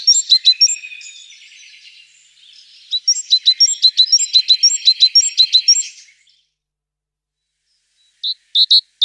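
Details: A tit gives mixed high chirps and twitters with a lower trill underneath, then a steady run of clipped paired notes, and after a silence three short loud chirps.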